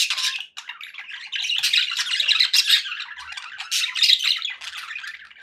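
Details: Happy pet budgies chirping, a rapid run of short sharp chirps and scratchy warbling that grows louder after the first second and stays busy to the end.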